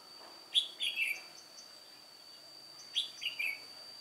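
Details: Old decoy red-whiskered bulbul, white-cheeked form, singing by itself at a trapping site on 1 July 2018; two matching phrases of three cheerful slurred notes, repeated about two and a half seconds apart, thin continuous tone beneath.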